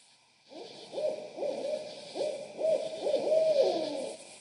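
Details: A pair of barred owls near Suwannee River State Park, Florida, calling to each other with laughing calls: a run of loud hooting notes about every half second, some ending in drawn-out wavering hoots, over a steady high hiss.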